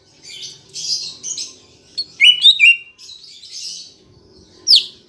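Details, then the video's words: A green leafbird (cucak ijo) sings a rich, varied medley of chattering buzzes, clear whistled slurs and sharp rising notes in quick bursts with brief pauses, played to stimulate other kept leafbirds to sing. "Pancingan Cucak Ijo Biar Bunyi dan Cepat Gacor"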